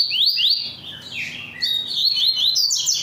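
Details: Rusty-collared seedeater singing hard: rapid upslurred whistles repeated in a lively run, a brief softer patch in the middle, then more bright rising whistles climbing higher.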